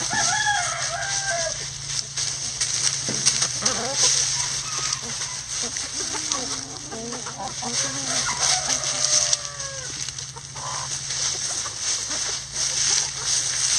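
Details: Backyard chickens in a coop scratching down a pile of leaves, giving scattered short clucks and soft warbling murmurs over constant crisp leaf rustling and a low steady hum.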